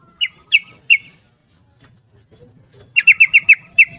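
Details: Rapid 'ropel' song of a yellow-vented bulbul, used to coax silent or stressed birds into singing: three spaced chirpy notes, then a fast run of five, ending with one more note.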